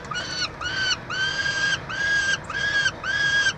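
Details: Peregrine falcons at a nest box at the University of Montreal, Quebec, Canada, during chick feeding on 22 June 2023: a series of six drawn-out, harsh, harmonic wailing calls, each about half a second, repeated steadily with short gaps.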